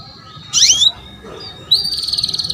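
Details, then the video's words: Female canary calling to draw a male into song: a buzzy descending burst, a pause, then a sustained high whistle breaking into fast pulsed trills. "KENARI BETINA MEMANCING JANTAN || PANCINGAN KENARI PAUD AGAR BUNYI"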